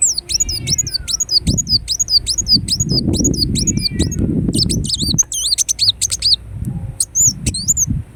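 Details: A Ruby-cheeked sunbird, recorded as a lure and therapy sound for caged birds, sings a fast run of thin, very high chirps, then sharper doubled notes, over a low background rumble.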